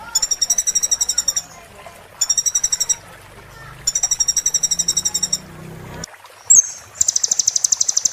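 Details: Sunbird singing, recorded to teach caged birds: bursts of rapid, high, evenly pulsed trills separated by short gaps, one quick slurred whistle, then a final dense buzzy trill.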